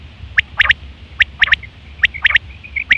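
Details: Common quail recorded in September 2023, call used for hunting and mating: sharp ringing three-note bursts, quick and clipped, repeated about once a second, with soft short piping notes in between.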